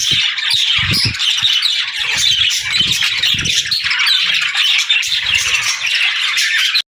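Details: Budgerigars chattering and warbling nonstop, busy overlapping squeaks and raspy twitters, with scattered low knocks and rumbling background noise.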